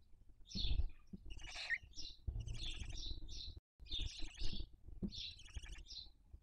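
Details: Barn owls raising young at a nest in Cabañeros National Park, Toledo/Ciudad Real, Spain, 2023 breeding season: clusters of high, rapid twittering chirps in short bursts, over low rumbling noise.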